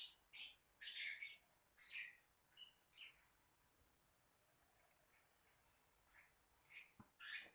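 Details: Lovebird giving sharp, high, shrill chirps in quick clusters, several in the first three seconds, then a quiet pause before a few more chirps toward the end.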